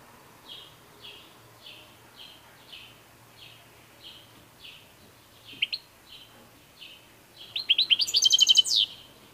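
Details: ['European goldfinch singing: a steady run of soft, slurred high notes about twice a second, ending in a loud, bright burst of rapid tinkling twitters.']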